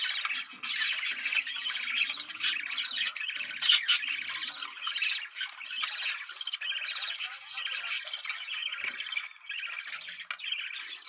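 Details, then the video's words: Budgerigars chattering in a mating call to prompt breeding, a loud unbroken mass of gurgling warbles, grating squawks and sharp clicking notes from a group of birds. "Muhabbet Kuşu Kızıştırma Çiftleştirme Sesi"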